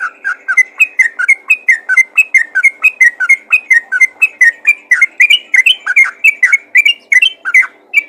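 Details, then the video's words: Energetic chirping of a yellow-vented bulbul calling other bulbuls: a long, unbroken chain of bright, bouncing, slurred notes, steady in pace, growing slightly busier toward the end. "panggilan burung trucukan ropel gacor memanggil trucukan lain"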